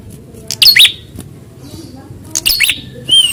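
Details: Prinia, tested for fighting spirit by its response to a rival, gives short bursts of sharp, high chirping notes in two clusters, then a thin rising whistle, over a faint low background hum.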